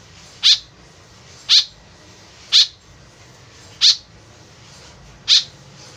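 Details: An actively calling white-breasted woodswallow, a call used as a lure, gives five evenly spaced harsh, buzzy notes, about one every one to one and a half seconds, against a soft hiss.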